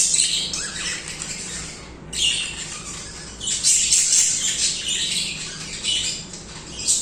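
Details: Several budgies singing continuously: rasping squawks and rapid high twittering in long rolling bouts, a near-pause around the second mark, then renewed loud chatter with a low background hum.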